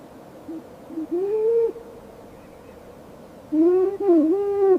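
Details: Snowy owl chirping in a sequence: two short soft notes, then a longer rising, level tonal call, a pause, and two longer calls with a brief dip in pitch between them.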